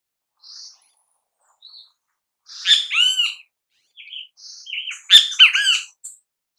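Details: Great kiskadee in natural habitat singing two multi-part phrases of harsh, scratchy and nasal notes two seconds apart, with thin high whistles before and between them.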